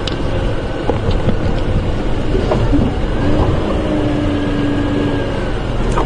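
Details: A loud, steady vehicle engine drone during an evening safari drive, with faint voices and no clear animal calls.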